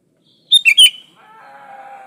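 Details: Sooty-headed bulbul song meant as a lure for other bulbuls, unmixed with other species: one brisk three-part fluty, bubbling phrase, followed by a steady low humming tone.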